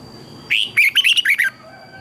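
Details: Red-whiskered bulbul training song, used as a lure recording for teaching birds to sing: a brisk one-second phrase of six or seven clear, lilting whistled notes that rise and fall, with a faint steady hum behind.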